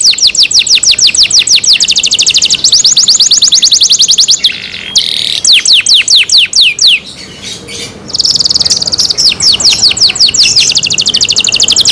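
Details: Kept canary singing loudly: rapid trills of high, sharply descending notes in repeated bursts, a brief pause near four seconds, then more fast rolling trills and a buzzy sustained phrase.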